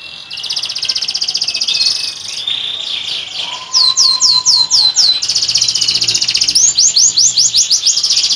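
A canary sings a bright, high, continuous song: buzzy rolls give way to quick repeated downslurred whistles, several per second, then rapid trills. No other sounds stand out.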